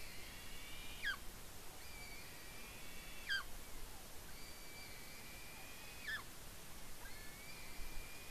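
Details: Eagle chick at the Smola nest in Norway giving excited squees while eating fish, July 2018; high drawn-out squeals ending in a sharp downward note, spaced about three seconds apart, over a low rushing background.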